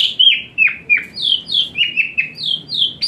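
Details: Asian pied starling song meant as therapy for a lazy-singing starling; a steady series of loud whistled notes, each dropping sharply in pitch, about two per second, with a low hum beneath.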